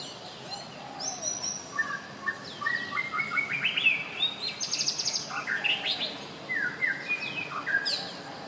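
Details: White-rumped shama giving a rich, varied song of clear whistles, sliding notes and short buzzy bursts, fairly quiet, with faint background hiss.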